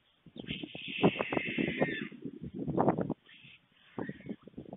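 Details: An adult male white stork feeds two storklets at a webcam nest in Fohrde, Germany, early afternoon on 21 July 2019. Dense rattling, clattering pulses run under a drawn-out hoarse, hissing call, then a pause and more rattling.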